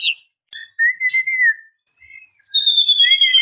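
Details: Female white-rumped shama calling males as a lure: short pure whistles, a level whistled note, then a long high clear whistle that slowly falls in steps.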